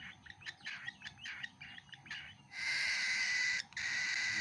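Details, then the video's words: Cockatiel chick at feeding time: a quick series of short buzzy pulses, then one long continuous harsh rasp that breaks briefly and resumes. "Cockatiel baby bird is eating food"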